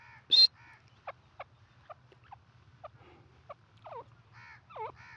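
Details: Female grey francolin, a dakhni teetar, calling: a loud high note near the start, then spaced short downward-sweeping notes and a few harmonic, nasal calls ending in looping dips, over a steady low hum.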